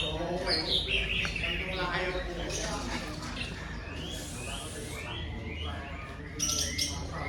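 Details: Greater green leafbird performing its learned material, reportedly mimicking tengkek udang and jinjing petulak. It opens with a bright descending whistle, then gives a string of short rising sweeps and chirps, with low continuous background noise throughout.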